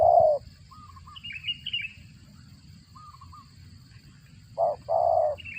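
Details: Spotted dove feeding its chicks, with calls likened to a cricket: a loud, low, hoarse burst at the start and a double burst near the end. Faint chirps from other small birds fall between them over a constant hiss.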